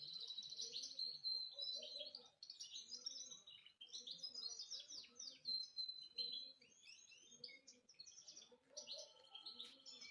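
A canary sings a long, unbroken run of bright, high trills, chirps and whistled notes.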